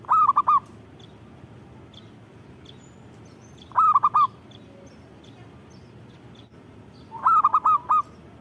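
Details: Local zebra dove (perkutut) singing: three phrases of rapid hooting coos, the last slightly longer with five notes, spaced about three and a half seconds apart over a quiet, steady low background.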